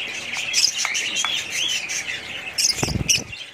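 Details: Budgerigars warble and chirp with rising and falling squeaky notes, followed near the end by a few low thumps and rustling.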